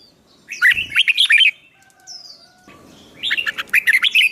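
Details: Newly caught songbird trained to sing for fighting contests: two energetic bursts of quick, slurred whistles and chirps, a soft drawn-out note between, low rustling in the background.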